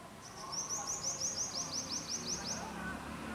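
A purple-rumped sunbird gives a rapid series of about fifteen high, thin, slurred notes over two and a half seconds, with faint low background rumble.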